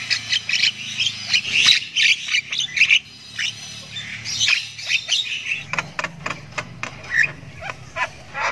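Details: Javan myna chick (jalak kebo) chirping at length as it learns to sound: dense strings of shrill, grating squawks and chirps, loud and nearly continuous, with a faint low hum beneath.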